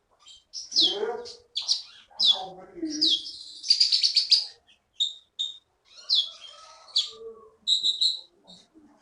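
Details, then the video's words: Contest-winning songbird from the Bangka forest, Indonesia, now kept in a cage, giving loud high twittering phrases and buzzy trills in bursts about every second, mixed with a few lower chattering notes. "KEETY BURUNG JAWARA FULL GACOR"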